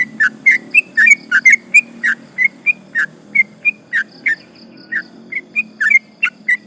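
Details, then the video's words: Sooty-headed bulbul, used as a lure to provoke rival birds, in a long rolling song: slurred whistled notes repeated at an uneven rapid pace, with a low hum behind. "trucukan gacor ropel panjang bikin emosi lawan"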